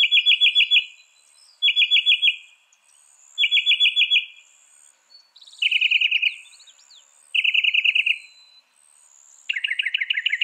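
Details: Northern mockingbird, a mimic of other birds and animals, singing loudly and fast: rapid rattling trills in bursts of about a second, repeated three or four times before switching to a lower trill type, with faint high chirps in the background.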